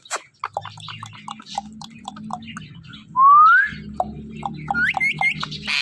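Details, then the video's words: A talking pet parrot gives a series of short clicks and chirps, then a loud, smoothly rising whistle, followed by a few brighter upswept whistles, over a low humming background. "this parrot talking are non stop || non stoppable talking parrot"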